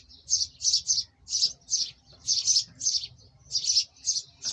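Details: Black francolin, locally kala teetar, calling in a recording used to set off captive birds: loud grating notes in quick clusters, the phrase of about four notes repeating roughly every one and a half seconds, faint low rumble beneath.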